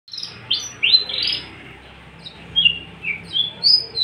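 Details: Tame, unringed captive Javan bush lark, a male ready for breeding and singing freely: sweet slurred whistles, dropping and rising in pitch, sung in short bursts with pauses between them.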